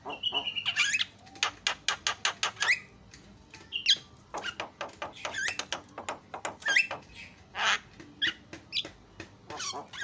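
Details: Song of an Asian pied starling meant to provoke other starlings: quick series of dry clicking notes interspersed with sharp whistles and chattering bursts, somewhat quieter, with light background hiss.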